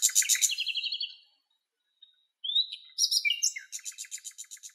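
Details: Western black-eared wheatear in Greek nature near a female carrying nest material: dense rapid trill of harsh notes, a short silence, a clear upward whistle, then scratchy chatter ending in an evenly repeated buzzy rattle.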